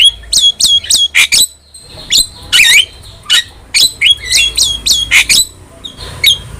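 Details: Starling in full song, recorded as training material for pet starlings: dense runs of clipped, bright chirps and scratchy squawks, repeated in fast clusters with brief gaps.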